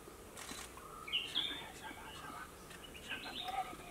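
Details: A brown-cheeked fulvetta at Tamhini Ghat, Maharashtra, India, on 27 March 2022 gives thin, high whistled notes in two short bursts, one ending on a lower note, over steady background hiss with faint voices.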